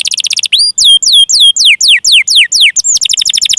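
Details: Canary song meant to coax reluctant or juvenile canaries to sing: a quick chirping trill, then a series of loud descending whistled slurs, ending in rapid high chirps.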